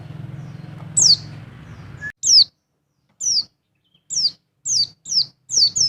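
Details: Mountain white-eye double call, used to raise a male's mating urge: about seven high, thin, sharply downslurred chirps, some in quick pairs, begin after two seconds. A low steady hum fills the opening stretch.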